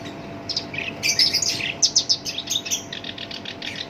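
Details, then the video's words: Captive black-browed reed warbler, locally shinchan, singing a coarse song valued as a lure for songbirds, especially rolling-type singers; fast grating chatter of rasping notes delivered in a continuous tumbling stream. "SINCHAN (KERAK BASI ALIS HITAM) GACOR POL, SUARA KASAR COCOK BUAT PANCINGAN GACOR LANGSUNG NYAMBER"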